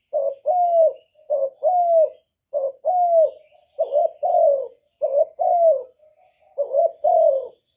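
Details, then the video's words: Cooing of a spotted dove kept as a lure to entice wild doves into a trap. Rapid sequence of low throaty coos, a short note then a longer sliding hoot, repeated rhythmically. "Cu gù kích bổi, kéo bổi về tàng tiếng chim cu gáy đi bẩy"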